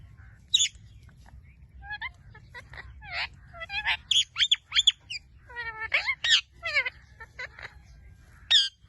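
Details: Blue-fronted amazon parrot giving a varied run of short calls: sharp whistled notes, rising and falling harmonic squawks and brief chirps in quick irregular bursts, with low background hum.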